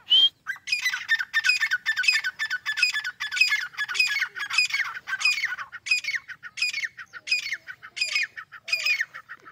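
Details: Grey francolin (teetar) calling loudly: a brief high whistle, then a run of about fifteen harsh, squawky, repeated phrases spaced roughly every half second, slightly irregular, in a quiet setting.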